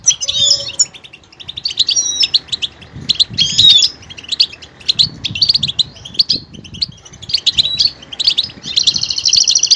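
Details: Goldfinch singing a long varied phrase of twitters, chirps and whistled notes, ending in a sustained buzzy trill, with some faint low background noise.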